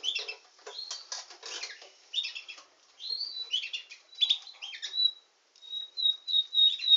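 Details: Canary billed as a nightingale singing canary: a varied, high song of buzzy chattering bursts, then clear whistled notes and short trills, ending in a run of repeated sharp whistles.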